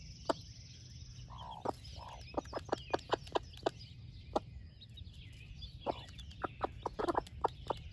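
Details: A doting splash laced red wyandotte mother hen, broody, offers breakfast to her chicks with bursts of short, soft clucks. Sharp cheeping from the young birds runs over the top throughout.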